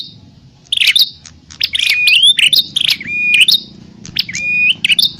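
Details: Sharp chirps and twitters of a bar-winged prinia fighting call, played to lure wild prinias, come in three loud bursts with brief quiet gaps. Flat sliding whistles link the notes.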